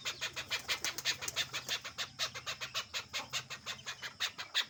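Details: Free-roaming tame male chukar, a domestic desi bird released outside, delivering a fast, even chain of about twenty-eight hard chuk notes in under five seconds, each note bright and clipped.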